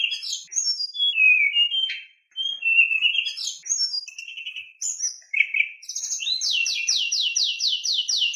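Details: White-rumped shama song meant to spur other shamas to sing: varied whistled phrases and sharp notes, then a fast train of repeated rising buzzy notes, about four per second.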